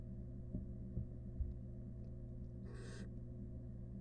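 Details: Wild barn owl in a nest box with rat prey. A single short, rasping hiss near the end, after a few faint knocks, with a constant low hum behind it.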